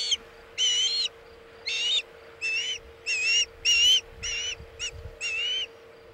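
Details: During a fish delivery at a Chesapeake osprey nest, 27 August 2019, 2:26 pm EDT, the osprey gives a series of shrill, slurred whistled cries in short bursts, some rising at the end, against a faint electrical hum.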